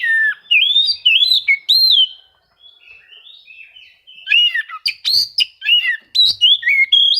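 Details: Rival-seeking song of an Oriental magpie-robin, used as a lure to make reluctant birds sing; rich rising and falling whistles, a short pause, then clipped varied notes.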